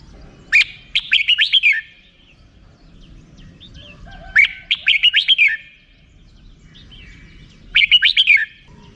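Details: Red-whiskered bulbul in 'rik' song style, three bursts of six to eight quick, bubbly chirping notes, each phrase about a second long, spaced a few seconds apart.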